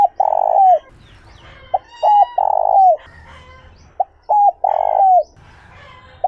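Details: Cooing spotted dove, 'giọng trơn ròng' voice meant to stimulate newly caught wild doves: three mellow phrases of short pip, paired notes and a long falling coo, with other birds chirping softly between them.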